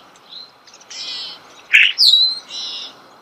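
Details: Starling singing close by in natural surroundings, giving a few scattered notes: buzzy, rasping bursts, a squeaky rising chirp and a clear descending whistle.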